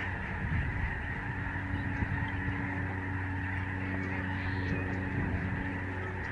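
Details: Thousands of migrating Lesser Snow Geese in the sky above a Canadian bird sanctuary in November 2011 make an unbroken wall of distant honking. A low rumbling hum runs throughout.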